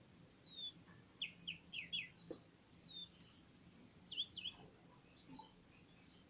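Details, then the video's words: Red-fronted serins (Serinus pusillus) from Central Asia warming up together with other birds: a lively run of high descending whistles and quick paired chirps, some overlapping, over a faint low hum. "Попели поели и опять попели в Унисон Красношапочные вьюрки"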